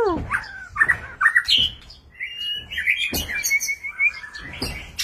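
White-rumped shama singing a rich, varied run of sliding whistles, chirps and a long, clear high phrase. Sharp clicks and knocks sound in a small room.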